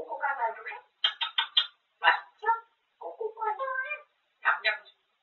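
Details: Indoor grey parrot chatters without pause about eating; voice-like phrases with clipped, choppy syllables come in several short groups separated by brief silences.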